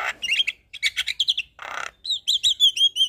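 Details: Javan myna in a full, varied song: scratchy chattering phrases, a short gap, a broad harsh rasp, then a quick series of clear whistled notes, some rising and some falling.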